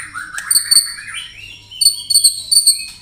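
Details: White-rumped shama song, 'tembakan rapat' style, used for training contest birds: a low rising warble leading into clusters of very high, sharp, ringing notes in short bursts.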